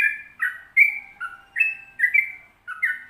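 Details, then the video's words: Sooty-headed bulbul giving its 'ropel panjang' long song: mellow whistled two-tone notes, alternating higher and lower, in steady bubbly phrases roughly every half second, with a faint lower whistle underneath. "Trucukan Ropel Panjang Gacor"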